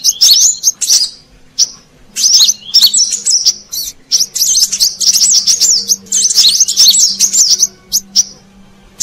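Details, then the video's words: Brown-throated sunbird calls from an Indonesian lure recording for wild birds: clusters of shrill high chirps and twittering phrases with gaps between bursts, over a quiet low drone. "Suara Pikat Burung Kolibri Kelapa Manggar"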